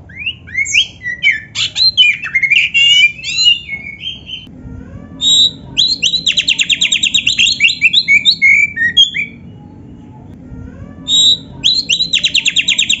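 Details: Kacer (Oriental magpie-robin) in a training recording to make caged birds sing: bursts of varied chirps and whistles, then long rapid runs of repeated buzzy notes, a short silence, and another fast rattling series.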